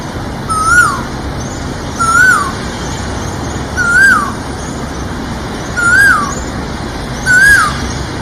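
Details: Asian koel giving a repeated call: a clear, rising-then-falling whistled note sounded five times, roughly every one and a half seconds, over steady background hum and a constant high-pitched whine.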